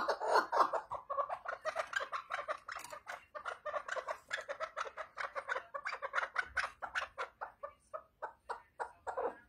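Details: Chukar partridge calling with a rapid run of harsh chuckling notes, about four per second, mid-pitched and clucking, building in an uneven stream over the whole stretch with no other clear sounds.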